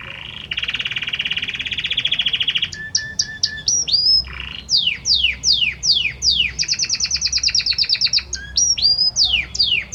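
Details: Male Belgian canary singing intensely to the hen, opening with a long buzzy roll, then short whistled notes, repeated descending swoops, a rapid bright rattle, and more swooping whistles.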